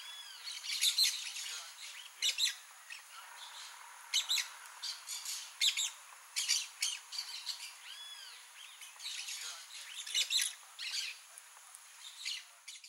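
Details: Free-living blaze-winged parakeets (Pyrrhura devillei) give harsh, scratchy screeches in irregular bursts, several birds calling over one another, with a faint steady hiss behind.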